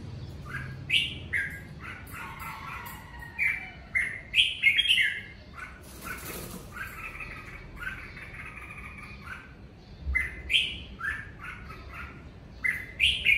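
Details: Home-kept red-whiskered bulbul singing during the Covid season: loud, fluty whistled phrases and quick chirps in irregular bursts, with a brief rustle like flapping wings midway and a faint low hum beneath.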